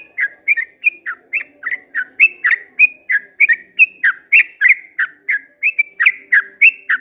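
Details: Dawn 'ropel panjang' song of a sooty-headed bulbul: steady run of clear, slurred whistles that fall and rise, evenly repeated about three times per second, with a quiet hum in the background.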